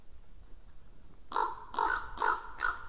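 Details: A Common Raven visiting a white-tailed eagle nest webcam in Estonia, 11 March 2017 at 09:41, gives four harsh, hoarse caws in quick succession, about two a second, after a quiet start.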